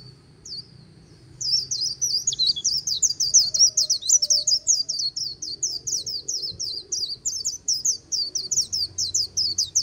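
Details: Trilling "líu" song of a white-eye beside the Kỳ Cùng river, Vietnam: brief high notes, then a long unbroken run of quick, sharp, high-pitched twitters lasting about eight seconds.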